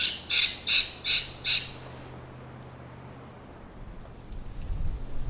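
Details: Boreal Chickadees heard in a bog on the Sax-Zim Christmas Bird Count in December, in bitter cold. Five hoarse, nasal, buzzy notes come in quick succession, followed by quiet and a low rumble of wind or movement.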